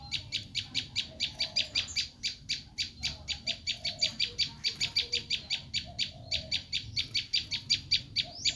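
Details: Bar-winged prinia's screaming call, used to lure wild prinias: an almost unbroken, insistent string of some forty harsh, high, buzzy notes over about eight seconds.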